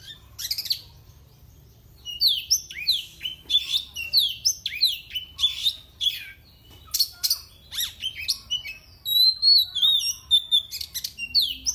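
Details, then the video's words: Captive oriental magpie-robin in Indonesia, song used to provoke rivals. A long, varied outpouring of upslurred whistles, buzzy chatter and sharp scratchy notes, ending in a sustained warbled high whistle. "kacer CAPTAIN milik bos ZUAN SS BUAH SF. Kicauannya bikin musuh makin Emosi."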